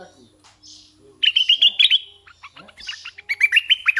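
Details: A decoy red-eyed bulbul sings two quick rolling phrases of clear, bouncing notes, the second slightly lower, with soft hissing and low murmurs before them.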